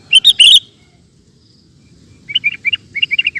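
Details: Sooty-headed bulbul song for training caged birds: a loud bubbling three-note phrase at the start, then after a pause a fast run of about ten short, bright whistled notes.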